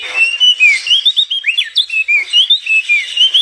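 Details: Crested white-eye pouring out a continuous run of sweet, high, slurred whistled notes that swoop up and down in quick succession.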